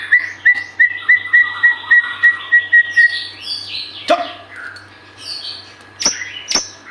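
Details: A white-rumped shama sings a series of about a dozen clear, evenly spaced whistled notes, then breaks into varied, sweeping phrases and sharp calls, played to get other birds singing.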